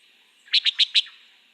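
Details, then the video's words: Antillean Nighthawk heard at dusk in the Florida Keys, one quick series of four sharp, clicking high notes in under half a second, the grouping in threes or fours that separates it from the Common Nighthawk. "This is what the Antillean nighthawk sounds like."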